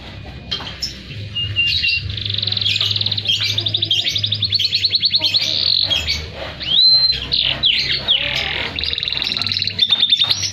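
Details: Canary song used as a master recording for other birds: continuous chattering trills and buzzy pulsed runs, with a brief clear whistle, over a steady low hum.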